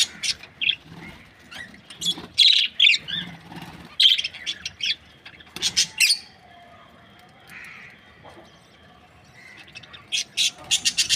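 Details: Budgerigars, an Australian breeding pair, chirp in scattered squeaky bursts and sharp clicks, with a long quieter stretch midway before the chirping picks up again.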